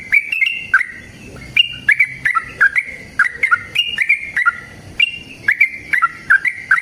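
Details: Sooty-headed bulbul singing energetically in a long rapid fighting song used as a lure to make other bulbuls sing back: bubbly whistled two- and three-note phrases, rising and falling, repeated almost continuously, with sharp clicks between notes.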